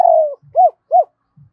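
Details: Spotted dove using its double-voiced call to stimulate decoys: a long falling coo, then two neat arched coos, with faint low thumps between.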